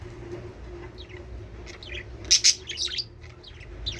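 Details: Budgerigars chirping, played to encourage breeding: scattered short high chirps and twitters, with a loud burst of sharp overlapping calls midway and softer chatter either side, over a steady low hum.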